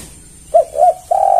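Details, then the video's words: Tekukur or spotted dove luring other doves: a short coo, a slightly longer wavering coo, then a sustained flat coo, all low-pitched and clear against a quiet background. "Pancingan Tekukur Semua Pasti Merespon"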